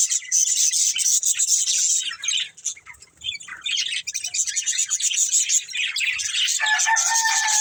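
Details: Budgerigars, a breeding pair kept as a family, chattering constantly with dense scratchy chirps and warbles, a thin whistled tone near the end.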